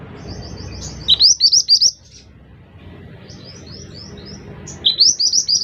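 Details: Scarlet minivet, called mantenan locally, delivering two phrases of four or five rapid, clear, rising whistled notes, with softer high chirping between phrases and little other noise.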